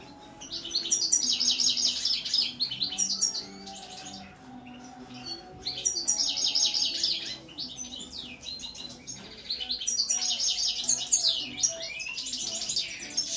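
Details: European goldfinch song: three bursts of fast, twittering, tinkling phrases high in pitch, each lasting about three seconds with short quieter gaps between, over a faint steady low hum.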